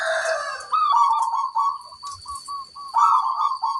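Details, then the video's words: Local zebra dove in active song with a large 'kung' voice: a quick series of short, bubbly coo notes ending in a rolling trill, with a faint high electrical hum behind. "Perkutut lokal gacor, gayer suara kung besar"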